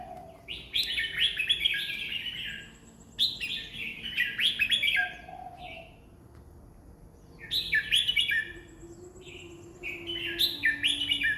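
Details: Red-whiskered bulbul singing a rapid run of about twenty phrases a minute: lively, bubbly chirped phrases come in quick pairs and triplets with brief gaps between groups.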